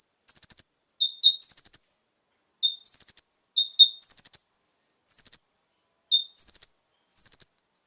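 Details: Konin song played to lure captive birds into full singing; short pure note followed by a fast pulsed, high trilled phrase about a second long, repeated with brief pauses, no other sounds.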